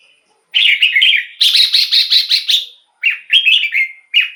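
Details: Red-whiskered bulbul singing continuously, a recording meant as a decoy for wild birds or to excite caged birds. Runs of quick, rolling whistled notes come in three phrases with brief pauses.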